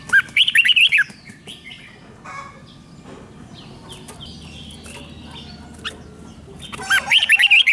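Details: Red-whiskered bulbul song for exciting caged birds: a rippling whistled phrase opens and another closes the stretch, with a long middle of scattered faint chirps and rustling.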